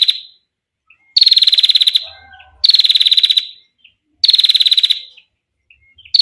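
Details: Female Bar-winged prinia giving a long, clear 'ngetir' call, used for tutoring or luring other birds: rapid bursts of sharp, even ticking notes lasting about a second, repeated every one and a half seconds with quiet gaps between.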